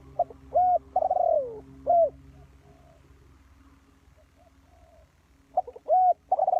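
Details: Spotted dove used as a decoy for trapping, uttering groups of mellow arched coos and one long descending note, a lull with faint distant cooing, then more clipped coos.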